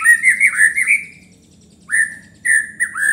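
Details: White-rumped shama, called murai batu, singing to stir up rivals: a warbled whistled phrase ending in a long level note, silence, then three separate rising whistles.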